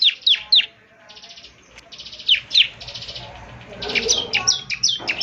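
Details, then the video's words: Chatty ciblek semi, the bar-winged prinia, in morning playback meant to prompt birds to reply: a few sharp downward chirps, stretches of dry buzzing rattle, then a dense burst of high twittering notes. "ciblek semi gacor, putar tiap PAGI agar ciblek semi ikut nyaut bunyi GACOR"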